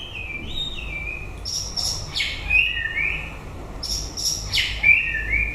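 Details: White-rumped shama late in its breeding season, giving loud whistled phrases broken by harsh, scratchy high bursts, two similar phrases about two seconds apart, over quiet low background hum.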